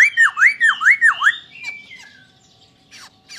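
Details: Masked laughingthrush (poksay Hongkong) giving five loud dipping whistled notes in quick succession, a short flat whistle trailing off, then faint scratchy sounds.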